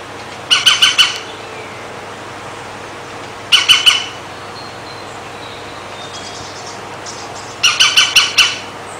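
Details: European green woodpecker drinking and bathing, filmed from behind a window: three loud bursts of four or five harsh, ringing, laughing notes, spaced a few seconds apart, over steady background hiss.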